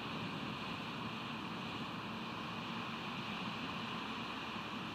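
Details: Constant broadband wind and vehicle-like drone with faint wave wash runs throughout, with no audible animal voice.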